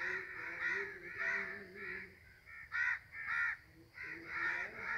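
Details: Crows flying in the sky give harsh, nasal caws in uneven bursts, some drawn out and some clipped, with several birds overlapping and brief gaps of quiet between groups.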